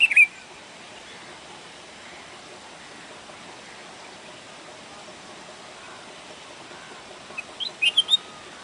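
A red-whiskered bulbul gives a quick bright chirp, then after a long quiet pause a short burst of several lively, liquid notes over a soft background hiss.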